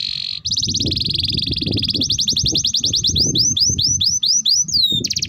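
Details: Canary (kenari) singing a long, continuous song used as a master recording to train other canaries. It opens with a fast, high, bubbling trill, then gives a run of sweeping downward whistled notes and returns to a rapid trill, over a low rumbling background.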